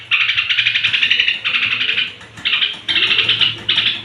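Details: Straw-headed bulbul, evening song to excite other bulbuls: strong, liquid, gurgling phrases of rapid notes, four bursts separated by short pauses.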